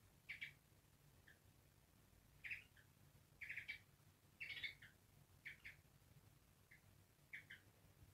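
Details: African grey parrot in an angry mood, producing short, hoarse bark-like squawks about once a second. The squawks are softer and more clipped and come singly or in quick pairs over a low background hum.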